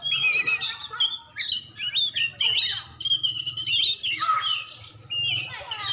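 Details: Oriental magpie-robin, a contest champion from Aceh, delivering bright whistled notes, quick slurred rising and falling phrases and dense twittering runs in short bursts, with a faint low hum beneath.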